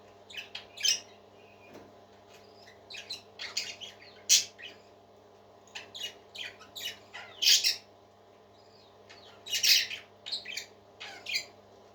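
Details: Happy singing parakeets kept as pets: rapid clusters of high chirps and harsh squawks with brief pauses between outbursts, several sharp loud notes, a soft constant hum in the background.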